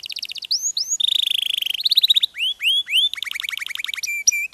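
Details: Posture canary of the Yorkshire or Giboso type, a variety bred for unusual shape and plumage, sings clean rapid trills, a fast buzzy roll, and rising whistled slurs in quick succession.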